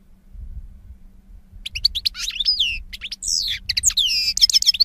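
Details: European goldfinch, 2016 recording: low rumble at first, then rapid liquid twittering begins and builds into sweeping whistles and repeated trilled notes that grow louder toward the end.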